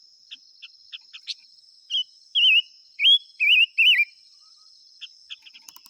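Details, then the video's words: Silver-eared mesia: a few soft ticking notes lead into five loud, wavering whistled phrases that rise and fall, followed by more scattered chips. A constant shrill insect-like drone continues in the background. "tiếng chim ngũ sắc hót chuẩn muồi gọi buổi.."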